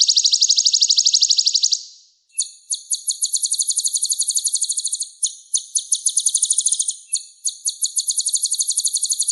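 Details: Sunbird (kolibri ninja), a songbird with a rich, full repertoire, kept as a vocal tutor for other songbirds: a rapid high buzzy trill for two seconds, a brief pause, then long runs of fast, sharp, high notes.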